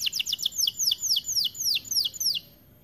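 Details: White-coloured AF canary in full song: bright descending slurred notes, quick at first, then slowing into evenly spaced downward sweeps before stopping.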